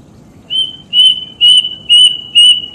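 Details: Plaintive cuckoo (Cacomantis merulinus), call.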